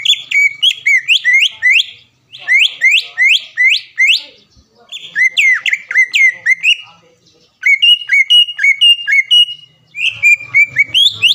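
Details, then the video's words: Greater green leafbird in a cage, a champion singer at Palembang events, recorded for training other birds: series of rapid downslurred whistled notes in runs of five or six, with short gaps and high chatter. "MASTERAN CUCAK IJO GACOR SPEK JUARA DENGAN ISIAN ISTIMEWAH NEMBAK PEDAS DAN RAPAT"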